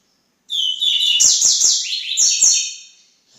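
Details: Double-collared seedeater (coleiro) singing a high, fast phrase of sweeping whistled slurs and buzzy trills that rise and fall steadily for nearly three seconds, then fade out.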